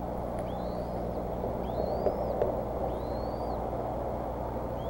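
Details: Growing bald eagle eaglets at the Decorah nest on 16 April 2014, begging around feeding time at 10:00. Three thin, rising whistled slurs spaced about a second apart sound over a steady low rumble of wind.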